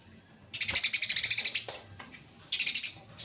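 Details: Fighting Eurasian tree sparrow on a judge-picked training recording: a fast, even run of around fifteen bright, high, clipped chirps, a pause, then a shorter run of similar rapid chirps.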